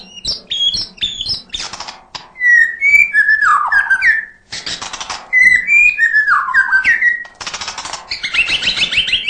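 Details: Murai batu, the white-rumped shama, in nonstop 'gacor' song full of 'isian' fill-in phrases: high sweet whistles, swooping slurred notes and loud scratchy bursts alternating several times, with brief pauses between phrases.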